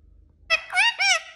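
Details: Indian ringneck parakeet talking indoors: three quick, nasal, harmonic syllables, the last two slightly arched, all over within about a second.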